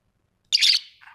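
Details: A single harsh, buzzy screech from a pet budgerigar at home, trailing off into a softer lower note.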